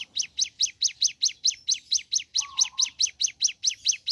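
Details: Fast regular series of high, slanting chirps from a ciblek gunung in the morning, over a faint low rumble and a brief lower whistle midway.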